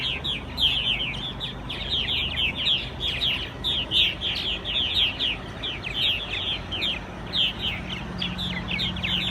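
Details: Purple martins at a gourd-house colony at Governor Bond Lake, with this year's fledglings, chatter nonstop in a dense chorus of many overlapping throaty chirps and gurgles over a faint low hum.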